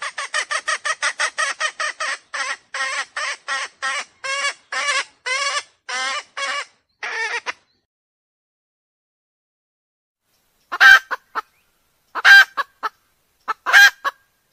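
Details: Hen used as a decoy to lure wild roosters: a fast burst of harsh clucks slowing into spaced, drawn-out squawks, then silence before three sharp, loud notes.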